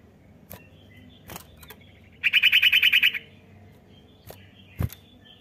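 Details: Common iora call used to prompt a young bird to sing: a rapid run of about ten bright chirps near one high pitch lasting under a second, with scattered faint clicks and low background hum.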